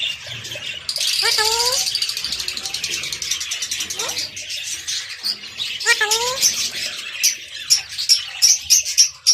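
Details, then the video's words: A pet talking parrot says two matching harmonic, speech-like phrases a few seconds apart, amid high chirping chatter and a rapid trill near the end. "My talking Parrot"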